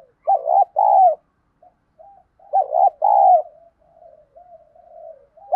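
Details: Spotted dove lure bird with a field-style voice, used to excite newly caught birds into cooing: two phrases, each a quick stuttered double note then a long, slightly falling coo, with soft murmuring notes between.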